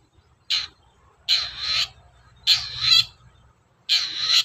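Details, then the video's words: Long-tailed shrike used as a singing lure gives harsh, grating rasps, each about half a second long, four in all at uneven intervals. A low rumble sits in the background. "SUARA BURUNG CENDET GACOR, PANCINGAN CENDET BAHAN AGAR CEPAT GACOR"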